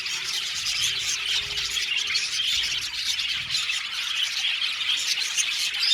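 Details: Budgerigars of an aviary colony keep up a constant high, buzzy chatter of chirps and squeaks, many birds calling at once.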